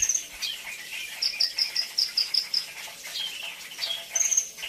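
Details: Brown-throated sunbird's 'isian' song: a rapid even series of about seven sharp high chips, bracketed by shrill trills, with faint twittering and hiss behind.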